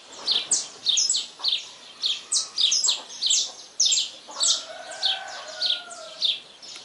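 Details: Saffron finch singing at dawn: a lively run of sharp, high chirps and short downslurred notes, about two bursts per second, some doubled. Faint, low, drawn-out tones sound in the background toward the end.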